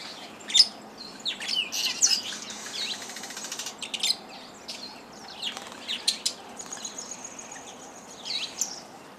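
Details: Busy chorus of Fischer's lovebirds, some hybrids with yellow-collared lovebirds, at a Lake Elementaita lodge feeder in Kenya: dense overlapping shrill squeals and twittering shrieks, with a sustained high buzzy note and fluttering wings.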